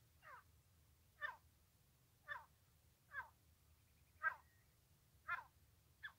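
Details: Francolin calling during trapping: harsh, rasping notes repeated roughly once a second, each sweeping down, against a low steady hum.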